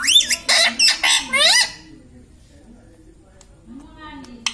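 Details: Pet ringneck parrot talking indoors, mimicking words like "mitthu": four loud, rasping, harmonic syllables with rising and falling pitch in quick succession, then quiet with a faint low hum and a few soft clicks.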